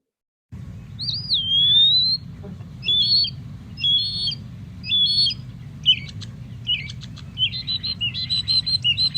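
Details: A European Starling mimicking opens with a clear slurred whistle like a pewee, then gives repeated squeaky phrases, dry clicks and a fast chattering series over a low hum.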